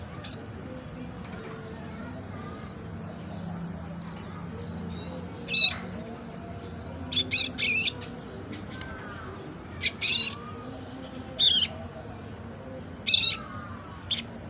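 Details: Caged four-month-old red siskin learning to sing, producing scattered bursts of short scratchy, buzzy twitters and chirps every second or two, with faint softer whistled notes from other birds and a low hum in the background.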